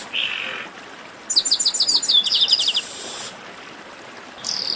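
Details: Chestnut-capped blackbirds in a 'baderna', a noisy group chorus played to warm up singing birds; a buzzy burst, then a rapid run of sharp high chirps for over a second, ending with another high buzzy note.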